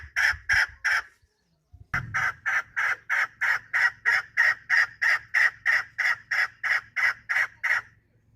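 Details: A chukar partridge calls in a rhythmic chain of grating chuck syllables. Three notes come first, then a short gap, then a long unbroken run at about three per second, over a faint low hum.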